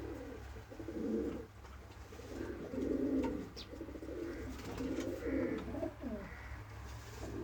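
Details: Repeated pigeon coos, roughly every two seconds, deep and throaty phrases with faint higher chirps between them and steady hum beneath.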